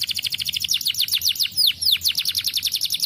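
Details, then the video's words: Canary singing vigorously to stimulate young birds to sing: a dense, rapid trill of high curved notes, about seven per second, with a few louder downslurred whistles woven through the middle. "Kenari gacor!! plilihan untuk merangsang bunyi burung bahan"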